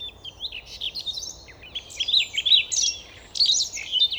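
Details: Near Novosibirsk in Siberia, Russia, a Siberian rubythroat sings a fast, scratchy warble of high whistles, rising and falling slurs and clipped chirps, broken by one short pause, with faint hiss behind.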